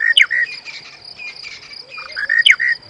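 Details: Monotonous Lark male calling repeatedly, apparently seeking a mate, perched close beside a vehicle at Djuma Game Reserve on a summer sunrise drive after a rain shower, 19 March 2017: short clear whistled phrases with sharp downslurred notes, repeated twice quickly; steady high insect hum underneath.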